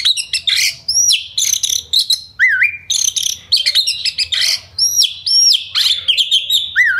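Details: Oriental magpie-robin in fast song aimed at making birds aggressive and sing: bursts of chatter broken by looping, wavy whistled notes and high curled whistles, repeated in quick phrases.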